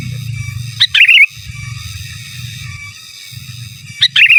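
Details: Sooty-headed bulbul with giras, menggaruda gacor song for masteran: two phrases roughly three seconds apart, a sharp high note then a burst of rapid rolling warbles, steady low drone underneath.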